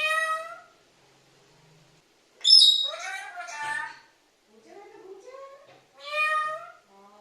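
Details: Talking parrot repeatedly calling "amme" (mother) in a clear, harmonic, voice-like tone, three separate utterances with short pauses between them.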